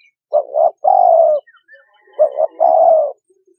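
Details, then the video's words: Trapping-lure recording of a spotted dove: two hollow phrases of a double note followed by a prolonged, gently falling coo, with faint chirping of other birds in between. "Cu Gáy Kích Bổi 2020"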